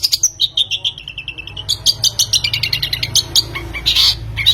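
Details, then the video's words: Long-tailed shrike lure recording meant to make a bird sing: quick high notes sliding downward in a series, then a dense burst of rapid chirping and a harsh, noisy high phrase. "Pancingan Pentet,jamin mau bunyi joss"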